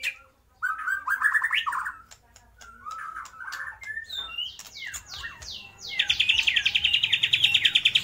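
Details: White-rumped shama mimicking lovebird, kapas tembak and pijantung gunung: warbled phrases, a string of descending whistled slurs, then a long rapid buzzy trill of evenly repeated notes.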